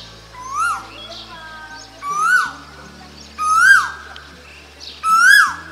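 An Asian koel gives four loud, clear whistled notes, each swooping upward then dropping slightly, about every second and a half, over faint background chatter.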